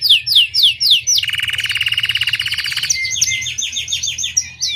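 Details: Domestic Belgian canary singing a bell-style song: quick descending whistled sweeps, then a fast buzzy trill of even repeated notes for nearly two seconds, ending in bright, higher chirping phrases.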